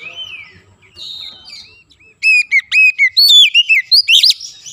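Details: White-rumped shama (kacer) singing in therapy audio to coax a silent bird into song: soft faint whistles, then a loud quick run of sharp upswept notes and bright warbled whistles.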